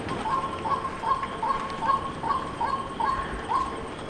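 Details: Softer, more distant-sounding run of short hollow notes from a white-breasted waterhen, repeated roughly every half second in a loose rhythm, partly blurred by background hiss.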